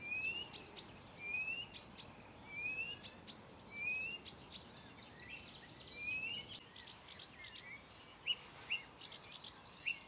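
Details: Blyth's reed warbler singing at Far Ings Nature Reserve, UK, on 11 June 2020, mimicking Redstart, Chiffchaff, Greenfinch, Chaffinch, Bee-eater and Quail: fairly quiet, short rising whistled notes and high sharp chips repeated roughly every one to two seconds.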